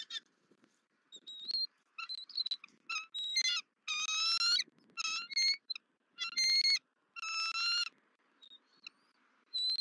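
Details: Female bald eagle screeching as she returns to the nest where the male is feeding their chick, Southwest Florida, 31 December 2023, nest camera; series of high, piping harmonic notes in uneven bursts, some rapid and chattering.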